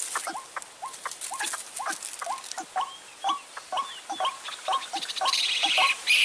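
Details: White-breasted waterhen lure call for trapping, recorded in the dry season: short rising hooked notes with bright overtones, repeated about twice a second in an uneven run. Dense higher chattering and noise build toward the end.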